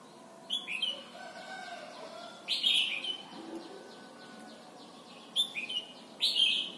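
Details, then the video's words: Song of a red-whiskered bulbul in Thailand, played to teach young birds: repeated bright whistled phrases, each a quick rising-then-falling slur, heard in pairs at the start, middle and end. "นกปรอดหัวจุก Thailand Bird: เสียงดีมาก (สอนลูกไก่) เต็ม - ฝึกร้องเพลงร้องเพลงยอดหรือเสียงบิด"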